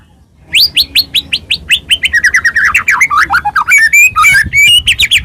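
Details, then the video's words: White-rumped shama in energetic song played as a lure to stir other birds into singing: a steady series of sharp high chips, then slurred whistles and rapid varied phrases. "murai batu gacor AMPUH buat PANCINGAN murai batu agar bunyi JADIKAN burung murai gacor EMOSI"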